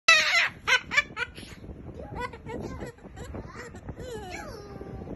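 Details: Moluccan cockatoo laughing: harsh raspy bursts repeated rapidly at the start, then softer throaty chuckling notes and wavering tones, loud and close indoors.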